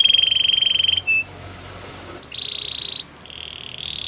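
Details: Canary training song with long level whistled tones broken by short pauses and a brief chirp, softer and sparser than a full trill.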